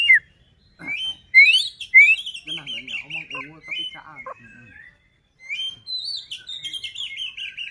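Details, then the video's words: Provoking song of a white-rumped shama used to agitate other shamas: sharp rising whistles and high buzzy trills, a lower warbling passage, a pause, then further high trilled phrases. "Murai batu gacor AMPUH buat PANCINGAN murai batu agar bunyi JADIKAN burung murai EMOSI"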